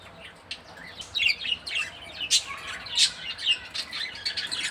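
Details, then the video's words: Continuous high warbling chatter from a female budgerigar during care time, with quick twittering notes and several sharper squawk-like accents. "female Budgie sounds and care time"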